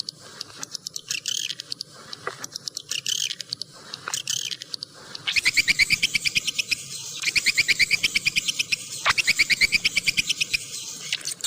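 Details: Swiftlets, a clear recording described as suited to all terrain: scattered high chirps at first, then a fast, regular clicking rattle of pulses, about three per second, in long runs broken by short pauses.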